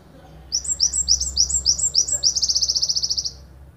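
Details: Java sparrow of the gelatik wingko type, endemic to Ponorogo, Indonesia, giving a long-burst 'tembakan panjang' master song: high, clipped downward-sweeping chips repeated rapidly, then a fast, even trill of bright notes before stopping.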